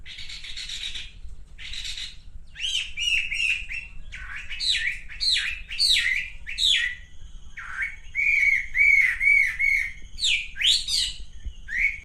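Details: Calls of a male pink-necked green pigeon: irregular harsh squawks and chirps grading into a run of short, wavering whistled notes, followed by more sharp chirps.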